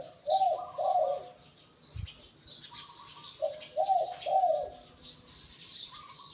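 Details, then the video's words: Wild-caught spotted dove decoy with a medium-to-deep voice of Liu Tan type. Two rolling coo phrases are heard, the second a short note plus two burry coos. A soft thump sounds in between, and chirping birds fill the background. "สุดยอดนกต่อ หลิ่วตัน"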